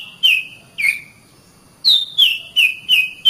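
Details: Oriental magpie-robin, caged, training recording: two downward-slurred whistles, a short gap, then four bright descending whistled notes in quick succession.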